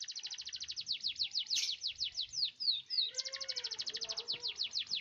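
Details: Canary singing a long rolling song, used to coax silent canaries into singing: fast, steady trills of high buzzy notes, about three per second, with a brief lower, warbled phrase in the middle.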